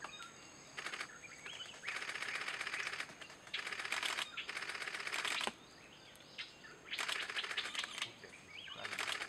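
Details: Grey-headed woodpecker (Picus canus), drumming.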